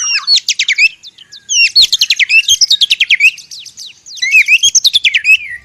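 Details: White-rumped shama fighting in the forest, a song used to provoke other shamas. It pours out rapid, high whistled notes in quick trills and bursts, with short sweeping phrases and brief pauses. A few faint low knocks sound in the background.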